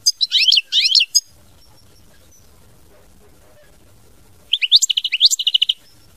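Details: European goldfinch in mama binette song: a burst of fast, buzzy twittering notes, then a long quiet pause, then a second phrase of rising chirps running into rapid repeated tinkling notes.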